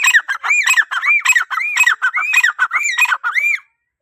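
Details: Calling grey francolin, used to call other francolins. A steady run of roughly eight harsh, arched, ringing notes follows without pause for three and a half seconds before stopping abruptly.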